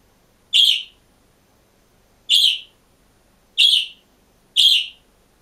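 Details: Green budgerigar kept alone in a cage, giving four loud, bright, short chirps with gaps of one to two seconds, in a quiet room.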